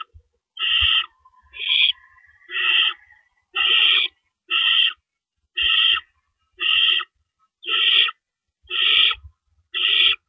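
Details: Nighttime owl nest, April 4, 2012, with rabbits brought in and removed: a regular train of rasping hisses, about ten over ten seconds, fairly evenly timed, plus a faint thin tone early on.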